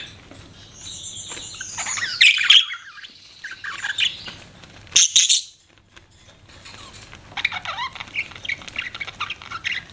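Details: Pet budgie parrot giving scattered chirps: a warbling squeaky burst, a sharp high note, then softer rapid twittering after a short silence.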